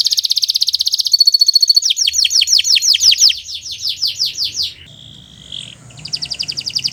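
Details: Long-singing canary from a master recording for training birds: a rapid high trill, a thin pure-toned pulsed phrase, then a cascade of downward-sweeping notes, a brief level whistle and a renewed fast trill.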